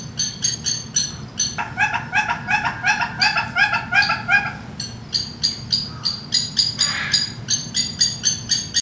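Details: Male red-billed hornbill in the Bird House at Saint Louis Zoo gives a long run of hoarse, clucking notes, nearly three a second, with a steady low hum in the background.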